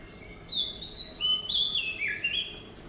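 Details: Oriental magpie-robin (Copsychus saularis) song, used for territory defence and attracting a mate: a sweet, varied run of clear whistled phrases, high and sliding up and down, over a faint background hiss.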